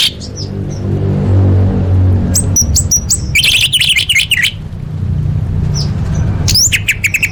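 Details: Varied song of an orange-headed thrush, used for training competition birds: scattered high whistles, then a loud dense burst of harsh chattering trills midway, later sharp upslurred chirps, over a constant low rumble.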